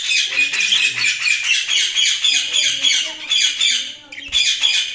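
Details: Budgerigars chirping: a dense, continuous chatter of rapid overlapping chirps and squawky warbles, high-pitched and busy throughout with brief dips in loudness, suggesting several birds calling together.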